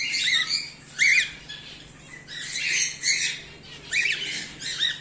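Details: Home-bred cockatiels, whiteface emerald, emerald and exhibition grey male, calling indoors: harsh, arched, harmonic squawks rising then falling, given in bursts about once a second, with softer chatter between and a faint steady hum beneath.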